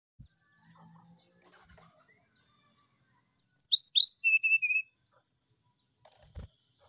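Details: Brown-chested jungle flycatcher singing in the morning in flute-like sulingan style, used as a training recording for other birds: one fast burst of high whistled notes sliding downward, ending on a steady lower whistle, with quiet clicks around.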